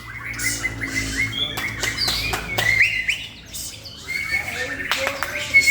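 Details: Song of a male white-rumped shama in Indonesia: clear sustained whistles mixed with rattling chatter and sharp clicks, a brief pause, then renewed whistling, with a man encouraging the bird.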